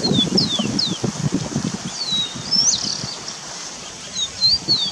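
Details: Wild starling in forest, a series of thin high whistles, some sliding down, others rising, scattered over five seconds above low rustling and flowing-water noise.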